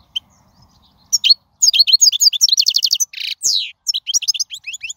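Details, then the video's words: Wild European goldfinch song, used to teach young birds to sing: after a second of quiet, a fast run of high, tinkling twittered notes, buzzy trills and a rasping burst, then more liquid chirps. "من أقوى اغاني | طائر الحسون | البرية"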